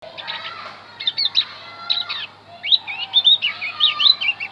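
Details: Javan white-eye song used to lure wild birds: rapid high chirps and short twittering phrases, starting sparse then running into a quicker warbling string of rising and falling notes.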